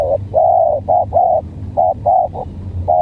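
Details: Odd-voiced spotted dove in a calling contest with a stuttering-style decoy. It gives a run of about eight mellow coos, some drawn out and some clipped and broken, at uneven spacing, with a soft low rumble beneath.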